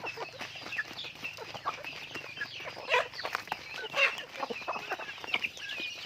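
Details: Domestic chickens on a farm, many birds calling at once: dense overlapping clucks and short squawks with frequent sharp peaks, a busy flock chorus throughout.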